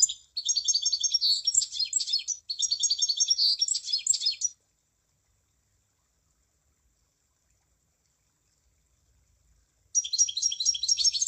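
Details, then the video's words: A munia sings two bursts of rapid, scratchy high chirping back to back. About five seconds of silence follow, then the same dense chirping song starts again. "Kicauan Burung Emprit"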